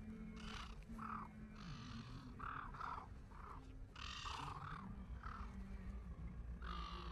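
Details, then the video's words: Silver gulls at Lake Burley Griffin, Canberra, Australia, giving repeated harsh, nasal squawks in short bursts about every second, over a steady low hum and background noise. "CANBERRA’S SILVER GULLS"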